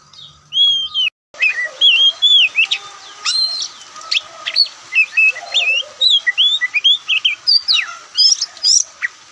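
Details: White-breasted Oriental magpie-robin (Kacer Poci) in a relaxed song: a brief opening phrase, a short gap, then a long continuous stream of varied loud whistles, chips and slurred notes in rapid succession.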